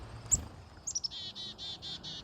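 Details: Backyard Black-capped Chickadee being hand-fed on a late-summer afternoon gives a thin high chip, quick high chick-a notes, then five buzzy, hoarse dee notes; more dees are thought to signal more urgency.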